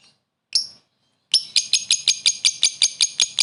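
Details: Lovebird's short laughing call used as a lure: one sharp chirp, then a rapid even series of about twelve high piercing notes.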